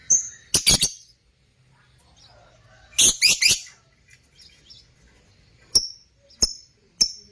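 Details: African lovebirds of the Parblue variety, kept for breeding, give clustered shrill chirps, then three thin, piercing single notes spaced under a second apart.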